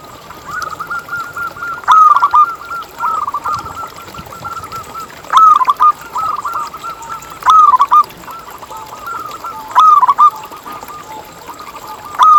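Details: Local zebra dove singing, used as a lure to set other zebra doves singing: loud, bright bursts of staccato coos about every two to three seconds, linked by softer, continuous rolling coo notes.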